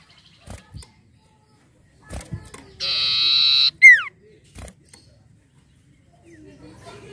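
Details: Untrained 'bahan' common iora used as lure song: after soft scattered clicks, a single long harsh buzzing note is followed at once by a loud, steeply descending pure whistle, then quiet.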